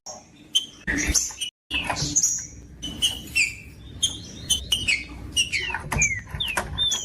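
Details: Trinca-ferro (green-winged saltator) song with whistled, slurred notes repeated in uneven bursts, mixed with clicks, rustling and a steady low hum, and a brief silent gap near the start.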